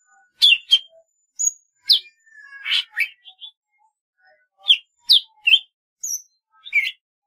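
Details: Golden-fronted leafbird in varied song: a quick jumble of sharp slurred chirps, high thin whistles and short buzzy notes in irregular bursts, with brief pauses between phrases.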